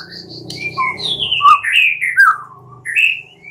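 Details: Night-time white-rumped shama lure song: a long, gliding series of sweet descending whistles and warbles, closing on a rising note, over a soft low hum.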